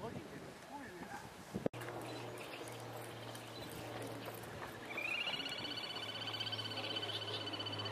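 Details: Little grebe family with newly hatched chicks, a parent tearing off waterweed and feeding it to them; after a quiet stretch with a steady low hum, a high, fast, rippling trill starts and continues steadily to the end.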